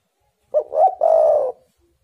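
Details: One clear spotted dove phrase for luring wild doves into calling: a brief stuttered note, a rising coo, then a sustained wavering coo that drops in pitch, with no other sounds.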